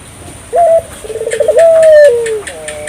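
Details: :African collared dove calling steadily, a call used to prompt local doves to call back: a short high note, then a fast pulsed rolling trill, then a long drawn note sliding lower. Quiet background.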